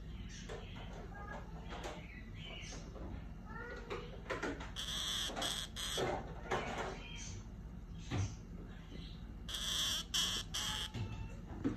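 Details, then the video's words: A pair of orange-fronted parakeets calls with scattered chatter and short squeaky notes, building into loud harsh screeches in two bursts, the second group near the end. "Pareja de periquito frente naranja atolero"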